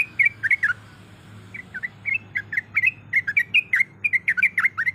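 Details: Female sooty-headed bulbul in breeding condition calling the male: a burst of bubbly notes, a short quiet gap, then irregular clusters of liquid chirps over low hum.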